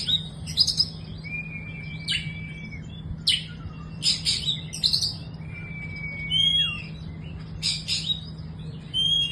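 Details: Young Oriental magpie-robin (kacer) song: long flat whistled notes alternating with sharp, scratchy chattering bursts and brief upslurred whistles, phrases spaced irregularly, with steady low mains hum in the background.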